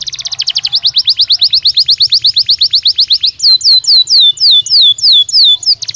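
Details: Belgian canary singing loudly and close up: a fast, even trill of high repeated notes for about three seconds, then a string of sharply descending whistled slurs roughly two per second.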